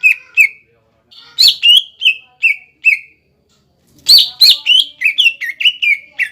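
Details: Cucak ijo (green leafbird) in full 'gacor' song used as a pancingan to rouse young and wild-caught birds into singing: bursts of sharp, downslurred whistles, several quick notes, a pause, then a faster run of chirpy whistled phrases.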